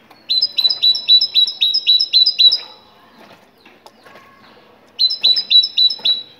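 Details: A Moroccan great tit sings a fast series of about nine piercing double-note whistles, falls quiet for two seconds amid faint chirps, then resumes with five more.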